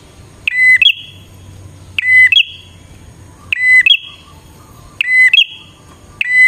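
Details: Bar-winged prinia lure song: five phrases, each a level whistled tone jumping to a higher rasping buzz, spaced a little over a second apart, with soft low background noise.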